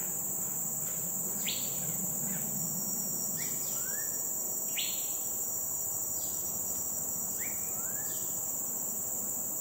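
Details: Migrant Green-backed Flycatcher at Dairy Farm Nature Reserve, Singapore: scattered sharp upward-flicking notes and brief chirps spaced a second or two apart, set against a steady shrill background of insects.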